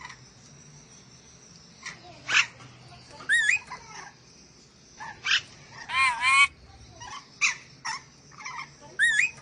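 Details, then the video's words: Ornate lorikeet of Sulawesi in an irregular sequence of sharp screeches, curling whistled squeals and one long grating harmonic-rich screech, roughly twenty calls a minute, above a steady high hiss. "MASTERAN BURUNG NURI DORA SULAWESI"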